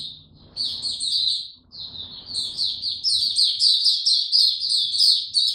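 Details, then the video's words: Opening song of a kept white-eye (mata puteh) given no health supplements, recorded 29 April 2022: hesitant short twitters at first, then a fast, unbroken run of high, ringing chirps, with low rumble early on. "Mata Puteh Hercules buka sing"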